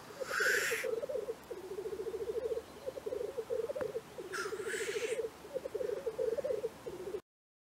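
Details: Black grouse displaying at a morning lek in Cairngorm National Park: low rolling bubbling phrases continue throughout, broken twice by sharp, loud hissing sneezes, then the sound cuts off abruptly.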